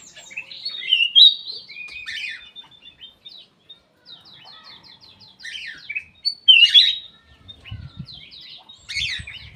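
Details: An aviary black-capped bulbul sings actively with rapid, high, ticking notes and a few loud, slurred whistles. Faint low thumps sound near the end.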